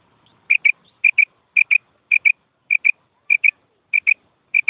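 A female common quail gives clean, high double notes, paired like 'quip-quip', repeated about every 0.6 seconds. The background is otherwise quiet.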